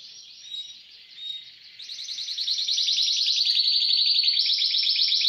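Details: Caged Timbrado canary, new to its cage since the night before, builds from soft notes into a loud, fast, even pulsed trill about four beats per second.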